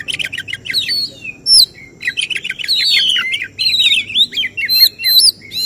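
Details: Oriental magpie-robin singing in a songbird contest, a jury-targeted 'tembakan' burst: dense rapid chattering notes, then varied whistled phrases with rising and falling slurs and sharp high accents, continuous and loud.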